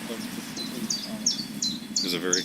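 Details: Red-winged blackbird in a swamp giving a distinctive call: sharp, high downslurred notes repeated roughly every third of a second, ending with a buzzy burst; a man talks quietly underneath.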